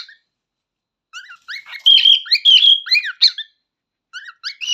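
A cockatiel sings a rapid run of whistled chirps and squeaky warbles, rising and falling in pitch.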